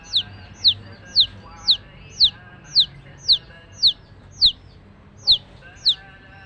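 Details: Single baby chick of a hen calling loudly: clear, sharply falling high peeps repeated evenly about twice per second, eleven in all, over a faint low hum.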